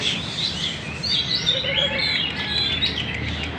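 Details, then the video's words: Magpie-robin in song at Banjar, a lively stream of whistled phrases and quick slurred chirps, rising and falling without pause, with faint low rumble beneath. "Burung murai Gacor di Banjar indah"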